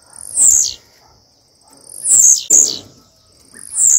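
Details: ['Blue-black grassquit female asking to mate, giving buzzy, descending high notes roughly every one and a half to two seconds, two coming close together, against a steady high whine.']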